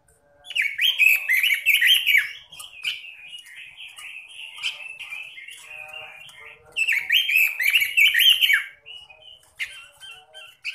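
A Pekin robin gives two loud bursts of rich, rapid warbling about five seconds apart, with softer continuous twittering between them.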